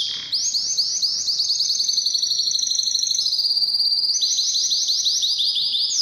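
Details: Canary singing used to stimulate males and females for mating: a loud, rapid rolling trill in high tour-like sections, shifting pitch between passages and continuing without a break.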